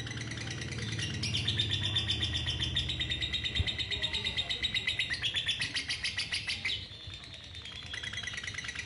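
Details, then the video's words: Female lovebird singing a long continuous trill: rapid chattering notes, about four per second, held at high pitch for many seconds with slight shifts, fading near the end; low room hum beneath. "LOVE BIRD BETINA KONSLET NGEKEK PANJANG, SATU KALI NARIK 2 MENIT"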